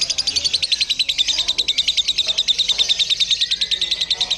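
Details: Lovebird in a simulated singing contest used to train the bird's nerve: a long unbroken run of shrill, harsh chattering notes pulsing roughly three times a second, with faint voices behind.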